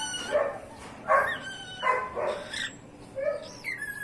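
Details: A pet cockatiel with a hoarse voice chirps in response to a dog barking, giving rough, bark-like chirps in short bursts with a few thin whistles.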